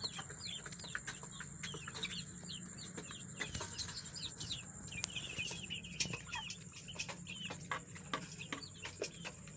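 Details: Dense chorus of high, rapid chick peeps from a group of young domestic chickens fighting, many short up-and-down chirps running together, over clicks, rustling and a continuous high electrical whine.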